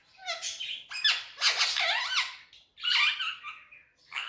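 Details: Indian ringneck parakeet, a male pet, chattering on a table in Urdu/Hindi: loud scratchy speech-like phrases with sliding tones and squeaks in two main bursts, indoors.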